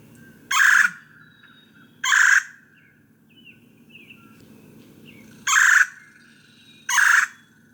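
Red-bellied Woodpecker giving four rolling, slightly metallic churrs, each about a third of a second, spaced irregularly, with faint bird chips and a low hum between.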